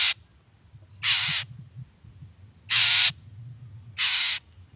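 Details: Long-tailed shrike call meant to provoke other shrikes into answering: loud, harsh, rasping notes about a third of a second long, repeated every one to one and a half seconds, over a faint low rumble.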